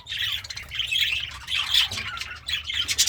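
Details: Happy pet budgerigar eating greens keeps up continuous buzzy, scratchy warbling chatter with rapid squeaky notes over faint low hum.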